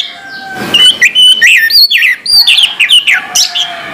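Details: Orange-headed thrush in morning song, rapidly delivering bright, upslurred and wavering whistles, about three to four notes a second, over a faint hiss.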